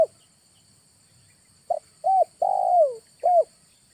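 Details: In August a spotted dove gives a lure call. The tail of one coo is followed by silence, then a new phrase: a stuttered note, an arched coo, a long downslurred coo and a final rounded coo.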